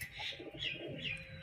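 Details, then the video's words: Newly arrived domestic pigeons calling while being fed wheat, with a male nearby in breeding condition, giving soft, low, throaty coos beneath brighter, thin chirping notes. "ডাকাডাকি করছে নতুন পায়রাগুলো, এই যে ডাকাডাকি করছে এখন দেখুন।"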